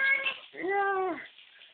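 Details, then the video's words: A lory, being urged to bathe, gives one drawn-out, wailing baby-like cry about half a second long that rises and falls like a whimper, after brief background chatter. "Burung nuri suara bayi"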